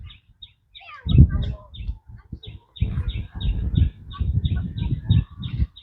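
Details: Domestic goslings walking with their flock and mother goose near the water: a steady run of thin, high peeps repeated several times a second, over low thuds and rustling.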